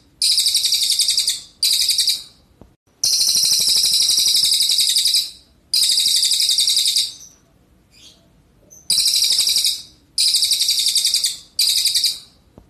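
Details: A red siskin in full, active song at full speed: loud, rapid bursts of high, buzzy twittering, each lasting one to three seconds, with brief pauses between them.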